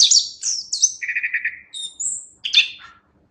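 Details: Brief chestnut-capped thrush song for songbird training: high slurred whistles, a quick series of five lower even notes, a thin high whistle, then a final burst of chirps.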